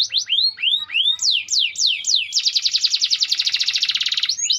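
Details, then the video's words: Singing canary of the AF type, gerek style: a series of separate looping whistled notes, each falling then rising, speeding into a long, very fast, buzzy trill. "Kenari AF gerek gacor gela gelo"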